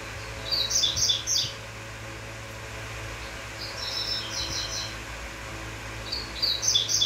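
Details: Double-collared seedeater with an uruguayo song: three softer, distant-sounding phrases of quick, evenly spaced high chirps about every two to three seconds, set against a steady low mechanical hum.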